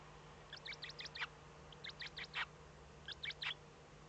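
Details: At a Eurasian eagle-owl nest in Germany's Eifel region at dawn on 8 April 2014, when the first chick had hatched: soft, high, quickly repeated peeping notes in three loose clusters, with a constant background hum.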